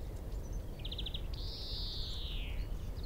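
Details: A male European greenfinch singing in a tree at Minsmere, about 25 m away, gives a quick trill of five notes, then a long, drawn-out, wheezy buzz falling slightly in pitch, over a steady low rumble of wind.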